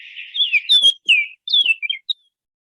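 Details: Bahama Oriole song from a bird of unknown sex, in a species where both sexes sing: a short run of clear, slurred whistles, rising and falling between mid and high pitch, with a few sharp chips, over about two seconds.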